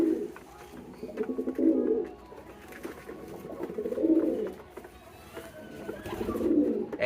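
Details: Young domestic pigeon, raised from a chick and now growing adult, calling constantly after about three minutes of calling: low, throaty cooing swells repeated about every two and a half seconds, with quiet pauses between.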